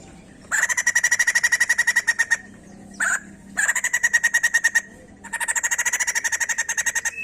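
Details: White-crested laughingthrush song for prompting other birds to sing: three fast trains of buzzy pulsed notes, each around one and a half to two seconds, with a short harsh note in between.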